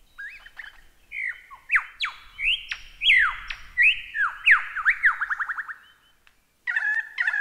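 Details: Lyrebird song used for training caged birds: varied mimicry of whistles, rising and falling sweeps and a fast run of repeated descending notes, with a brief harsh burst at the end.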